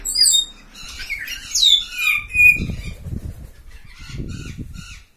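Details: Hyacinth macaw giving a run of harsh, harmonic-rich squawks that bend downward, several in quick succession, then fainter squawks near the end, with low rumbling background noise underneath.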